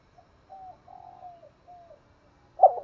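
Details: Spotted dove lure call used for trapping: a short soft note, then a series of low hollow coos, the middle one drawn out and falling at the end, followed by a loud abrupt thump-like sound.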